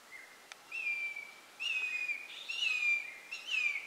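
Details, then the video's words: Changeable hawk-eagle, also called crested hawk-eagle, calling at Ghotpadi, Bhamragad, on 19 October 2018: a series of loud, high, slightly descending whistled notes, each drawn out, repeated about once a second with short gaps, over a quiet background. "Crested hawk eagle call | changeable hawk eagle call | मोरघार"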